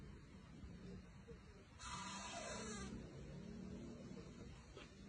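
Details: Baby owl resting on a hammock gives one unexpected, rasping, hissing screech lasting about a second, with faint falling tones, in an otherwise quiet room.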